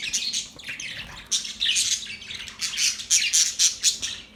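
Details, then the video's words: Several budgerigars chirp in loud, rapid bursts of high, grating notes, separated by brief quieter gaps. "Budgies chirping sound"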